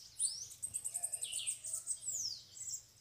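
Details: Bananaquits loose around a cage during a campeada, several birds arriving. A brief, very high, rapid string of thin ticking notes overlaid with wheezy upslurred sweeps in a quiet background.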